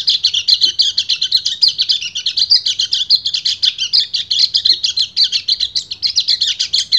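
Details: Male kecial kuning white-eye, in breeding condition, singing to summon a female: an unbroken, fast, high-pitched chattering warble in the ngecir style, steady in loudness throughout.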